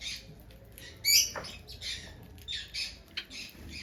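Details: Finches giving loud, short, nasal squeaky calls, one sharp note standing out, then irregular quieter chirps.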